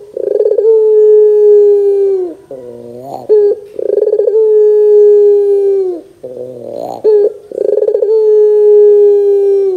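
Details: Barbary dove lure recording in the dor style, meant to make young doves answer: long, steady, mellow coos that fall slightly at the end, each opened by a rolling trill and separated by lower, buzzier harmonic notes, three phrases.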